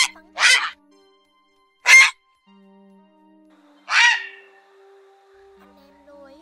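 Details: Grey heron calling the flock, played as a lure for night trapping: harsh, broad croaking squawks, each about a third of a second, given roughly every two seconds, with faint low tones between.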